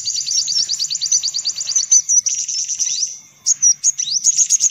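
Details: Sunbirds in a lure recording meant to draw sunbirds in: rapid, very high, thin chirps in fast trilled series, then sharper separate upslurred notes with short pauses.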